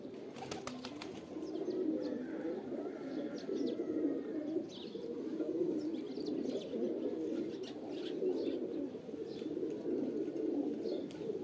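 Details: Deep pigeon cooing carries on without break from a group of birds, pulsing and wavering, opened by a few sharp clicks or wingbeats.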